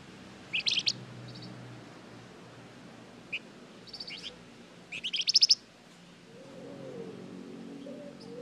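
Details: Flamboyan lure song to draw responses from other birds: scattered high, rapid pulsed chirps in short clusters, the loudest burst near five seconds, with a faint low hum and a soft warbling tone late on.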